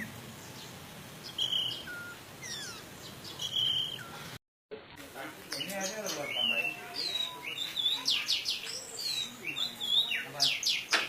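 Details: Orange-headed thrush teler song, meant to provoke stalled or stressed thrushes to sing. A few high whistles come first, then after an abrupt cut a dense, busy run of rapid chirps, trills and slurred notes.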